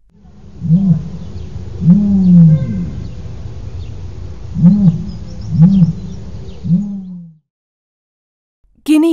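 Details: Common ostrich (Struthio camelus) booming: five deep, hollow, resonant hoots over about seven seconds, with a brief different call cutting in at the very end.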